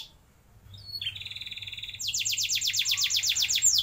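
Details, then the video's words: Canary producing long rolled song meant to prompt juvenile canaries: after a quiet start, a thin whistle, then a buzzy steady trill, breaking into a louder series of falling sweeps repeated about three times per second. "Pancingan Ampuh Buat Kenari Paud Agar Cepat Bunyi Ngeroll Panjang"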